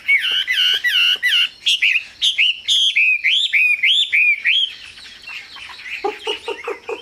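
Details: Caged Chinese hwamei in full, energetic song: strong, clear whistled notes repeated in quick runs of arching slurs, then a string of upslurred phrases, closing with lower, harsher clipped notes.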